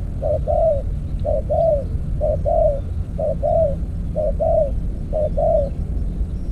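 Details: Spotted dove lured by a decoy in an earthen trap cage, cooing steadily: seven paired phrases, a short clipped note then a drawn-out wavering coo, roughly one per second, over constant low rural rumble.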